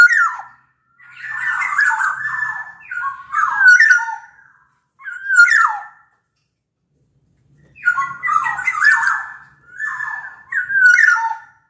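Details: Black-naped oriole from Sumbawa singing to coax silent orioles into song: long runs of mellow, warbled whistles and throaty slurs in several bursts, with a long gap in the middle and a faint low hum.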